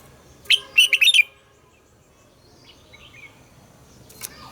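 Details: Red-whiskered bulbul singing a morning song in the mature wild double-note style: one quick phrase of bright whistled notes lasting under a second, followed by near silence and a faint later chirp.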